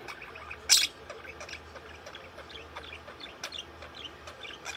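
A budgerigar chirps in quick, scratchy bursts with one loud sharp click early on.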